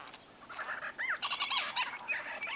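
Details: Close-range chatter of White-fronted bee-eaters: quick series of liquid, bending chirps and short trills, overlapping and continuing for the whole stretch, with faint hiss behind.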